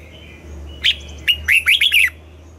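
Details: Red-whiskered bulbul singing in the morning in double-note style: a short burst of bright, rolling, downslurred whistles in quick succession, over a faint steady background tone and low hum.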